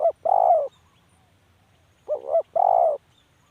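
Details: A spotted dove gives two soft cooing phrases, each a quick two-part note followed by a sustained rounded coo, about two seconds apart.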